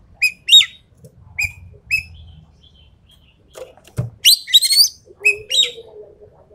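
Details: Javan pied starling song in 'tembakan' style: short bright whistles, one followed by a buzzy upslur, lead into a loud harsh chattering burst, then more whistles over a faint lower drawn-out note.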